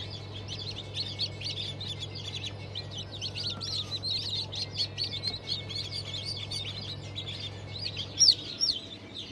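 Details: Chorus of many newly hatched chicks from a 5 May 2023 hatch of Cream Legbar, Sultan, Fizan, Cochin and İspenç chickens. Rapid, shrill downslurred cheeps crowd together without pause, with one louder peep near the end, over a constant low hum.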